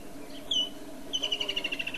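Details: Woodland kingfisher, a summer migrant to southern Africa, gives one sharp high note, then after a pause a long, evenly pulsed trill of about a dozen notes that slowly drops in pitch. A steady low hum runs underneath.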